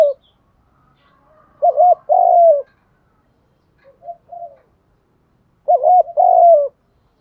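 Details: Spotted dove cooing to rouse other doves to coo and fight: two strong coo phrases, each a short wavering note then a longer falling one, about four seconds apart, with quieter notes between.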